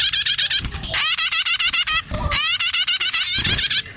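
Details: Lure recording of young prenjak (prinia) meant to draw other birds in. Three bursts of quick, high, rising chirp notes come at a steady fast pace, separated by brief gaps holding soft low noise.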